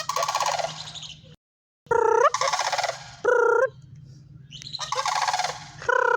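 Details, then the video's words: Loud rolling, bugling rattles from sandhill cranes, several bursts in quick succession with one short break of silence, the rattle overlaid by a bending, slightly rising tonal note. "Sandhill Cranes Calling(Dinosaur Sounds)"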